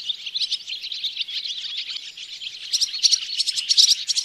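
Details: Loud, close Barn swallow twittering at Oostvaardersplassen, September 2016, via a Panasonic Lumix GH4. A continuous warbling chatter turns into sharper, clicking bursts in the final seconds.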